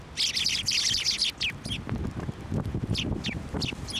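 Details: Sparrows flocking to a hand for food at a Tenmangu shrine, 29 January 2024; a rapid run of high, twittering chirps at the start, then scattered single chirps over rustling and low thumping sounds.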